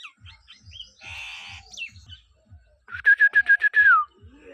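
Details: Pet talking myna kept at home with its owner, giving a loud burst of six or seven rapid, harsh repeated notes ending in a falling whistle, after a softer raspy note, with a steady low thumping in the background.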